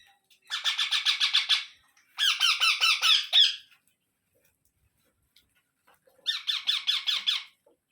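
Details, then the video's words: Baby Indian ringneck parrots calling while an adult feeds them in turn: three bursts of fast, raspy, pulsed chatter separated by silent gaps. "Ringnaeck Parrot Natural Sounds | Baby Parrot Sounds"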